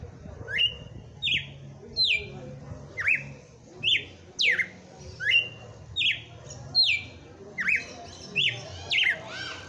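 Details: Singing red-cowled cardinal, Christmas Day, 'batendo fogo' style: a long run of about twelve sharp whistled slurs, rising and falling, delivered steadily under a second apart against soft background noise.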